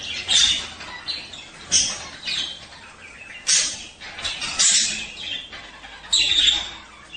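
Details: Male budgerigar song meant to stimulate mating: bright, scratchy chirps and short whistled squeaks in bursts roughly every one to one and a half seconds, with quieter chatter between.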